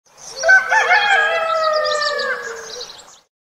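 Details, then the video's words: A cockerel gives one loud, drawn-out crow lasting about three seconds. It rises sharply at the start, holds a harsh, strained tone, then fades away at the end, with no other sounds. "Cockerel Noise"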